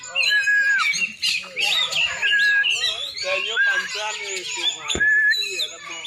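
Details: Oriental magpie-robin from Aceh, a champion bird of the black-and-white form, pouring out a busy warbled song of sliding whistles, squeaky notes and steady high tones, with one sharp click partway through.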